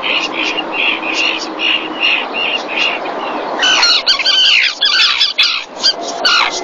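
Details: Common tern pair on a webcam at Marismas Negras, Cantabria, Spain, 2021 breeding season, fish delivered to the mother; short high notes repeated about twice a second, then a loud burst of harsh, grating squawks.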